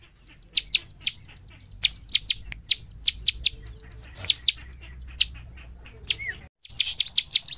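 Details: Bar-winged prinia delivering a vigorous, piercing song, used as a lure to make prinias sing: a steady string of sharp high notes at about three per second, ending in a faster flurry after a brief dropout.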